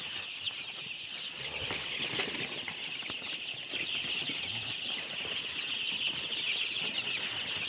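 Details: Baby chicks chirping in a dense flock: a steady, overlapping chorus of high, thin peeping notes with no pauses, plus faint soft rustling underneath.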